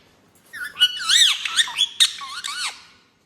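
A rose-ringed parakeet talks in a high, squawky voice, a quick run of gliding, warbled syllables lasting about two seconds, in a quiet room.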